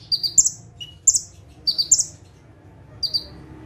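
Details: Bar-winged prinia song in 'tembakan' style from a bird sitting still on one perch: a few bright, high two-part chirps, low then high, in irregular bursts, with one short lower whistle.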